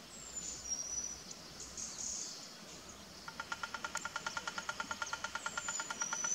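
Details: A speckled piculet taps on bamboo, drumming to attract a mate or advertise its territory. Halfway through, a fast steady series of sharp knocks starts and carries on to the end, about nine per second. High whistled notes of other birds sound around it.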